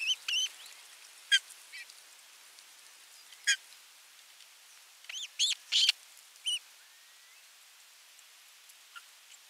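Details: Osprey at a Finnish nest camera site, nest 3, on 27 June 2022, during a fish delivery and feeding: scattered sharp whistled chirps, some upslurred, in small bursts with pauses between, on a hissing background.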